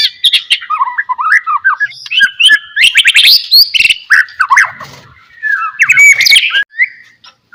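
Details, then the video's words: White-rumped shama in lively 'gacor' song meant to make lazy shamas answer: tumbling, rapid mix of whistles, harsh buzzy notes and clicks, ending with a bright rising slur. "DENGAR KICAUAN MURAI GACOR INI"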